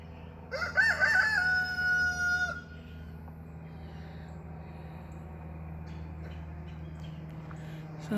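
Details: A single rooster, one of two calling back and forth at a property along a walk, crows for about two seconds: a wavering start, then a long, strained, held note. A steady low engine drone follows.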